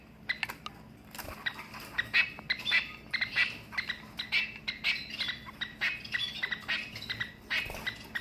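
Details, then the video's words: Captive male long-tailed finch, also called shafttail finch, kept in a larger flight cage, giving its loud crow-like courtship call: short harsh squawky notes repeated irregularly throughout, with a steady low hum underneath. "Long tailed finch makes crow sound"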